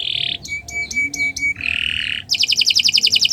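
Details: Canary song recorded for training other birds: a short buzz, several quick thin whistled notes, a lower buzzy trill, then a rapid series of bright repeated notes.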